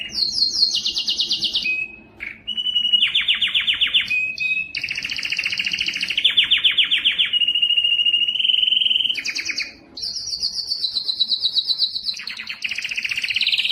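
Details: Long canary song stretch to encourage males to sing: one rolled trill tour after another at shifting pitches, some buzzy and low, some high and clear, broken by short pauses.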